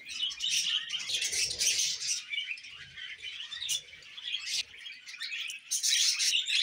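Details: Pet budgerigars chattering: dense, scratchy warbles and chirps at high pitch, rapid and irregular, with brief squeaks and occasional quieter gaps, faint low rustling beneath.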